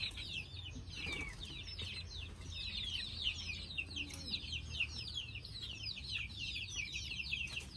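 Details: Group of chicks getting ready to sleep, their high, quick, sliding peeps forming a steady, dense chorus above a low background rumble.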